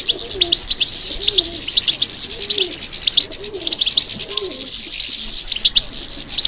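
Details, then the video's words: European goldfinch song in response to stimulation: continuous high, buzzy twitter with sharp chirps every second or so, while soft low cooing of a dove-like bird repeats underneath. "How to encourage the goldfinch to respond to stimulation"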